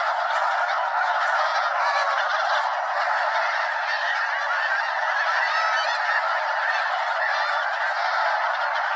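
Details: Flock of over 200 Snow Geese circling several times above Limestone Bay, Wheeler National Wildlife Refuge, Alabama; relentless overlapping high-pitched honking from the whole flock, steady in loudness.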